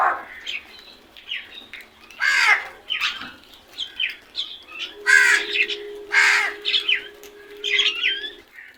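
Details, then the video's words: Several crows cawing noisily, raspy calls overlapping and repeating irregularly, with a steady low hum running through the second half. "Loud noise made by really smart crows"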